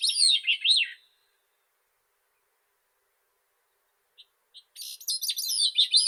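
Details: The end of one Grey-cheeked thrush phrase, with high descending notes closing on a rise-fall slur. After a quiet gap and two soft pips, another buzzy, spiralling phrase begins.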